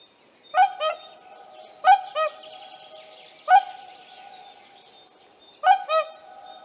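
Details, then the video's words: Whooper swans with young at Tāši, Latvia, on 15 May 2024: loud trumpeting calls, each a bugled note often followed by a second, in four bursts spaced about one to two seconds apart, with a steady hum and faint small birds behind. "ZIEMEĻU GULBIS / Cygnus cygnus / ar mazuļiem"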